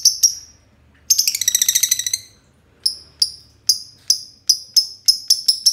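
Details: Two green lovebirds in a long ngekek: a couple of high chirps, a quick rattling burst of stacked notes, then evenly spaced sharp chirps that gradually speed up.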